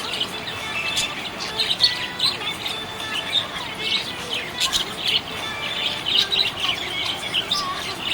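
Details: Happy budgie giving a steady stream of bright, high chirps and short warbled notes, overlapping and rising and falling quickly, with a faint low hum behind.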